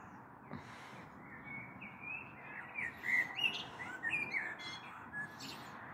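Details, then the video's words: Common blackbird, evening of 21 April 2022, recorded from a balcony ahead of a possible storm: quiet start, then a flowing fluted phrase that climbs into sharp, squeaky high twitters and trails off. "Sehr schöne Amsel mit Gesang am Abend"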